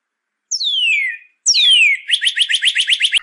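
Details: Northern cardinal, used to teach birds to sing: two long clear whistles sliding steeply downward, then a fast even string of short sharp chipped notes.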